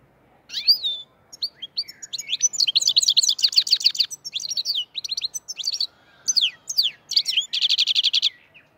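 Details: Black-headed goldfinch singing in the Andijan, Kuva and Fergana style. A dense, high twittering song of quick buzzy and liquid notes, with trilled runs and rapid repeated chirps and short pauses between phrases.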